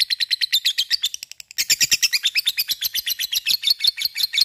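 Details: Lovebird in the long chattering ngekek style, played to provoke other lovebirds to join in singing: rapid, high, buzzy chirps repeated about three per second, briefly pausing midway before the fast chatter resumes.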